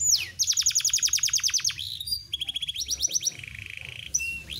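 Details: Panda-coloured canary singing: a fast rattling trill of high sweeping notes, then a shorter buzzy run, a rising series and a flat, sustained buzzing trill, ending with swooping whistles.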